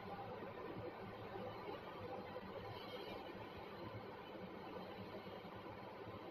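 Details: Dense, even background hiss and rumble throughout, with no calls or other clear sounds rising above it.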